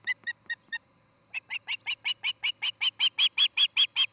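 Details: Osprey pair's nest in Charlo, Montana, filmed by nest cam on the evening of 17 August 2018: four sharp chirps, a pause, then a long run of loud whistled yelps, about two or three per second, growing stronger.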